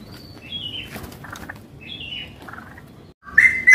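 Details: Adult straw-headed bulbul, red-eyed and in full song, at a bird-shop kiosk in Patra bird market, West Jakarta: loud, liquid, downward-slurred whistled phrases about every second over murmuring background noise, ending in a brighter warble.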